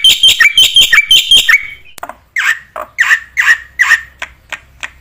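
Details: ['Song of a black-winged myna meant for training other mynas: quick doubled chirping notes with falling tails, a gap with a sharp click, then a run of loud harsh rasps spaced under a second apart.']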